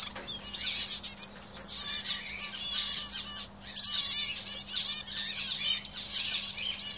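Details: Several canaries in a cage pour out dense, overlapping chirps and fast trills, bursts rising and falling in loudness, a sharp whistled phrase near the middle, a steady low hum behind.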